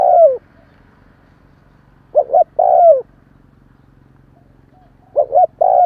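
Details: Spotted dove coo, a call used to stir a decoy dove into calling: two short clipped notes, then a longer coo sliding downward. The phrase repeats about every two to three seconds over a faint low hum.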